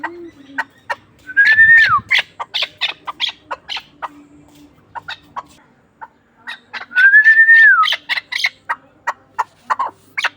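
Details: Chukar partridge from Ishkoshim, kept as a game bird: a rapid, uneven run of harsh clucking notes with two longer, drawn-out whistled notes that rise and fall in an arch, a few seconds apart.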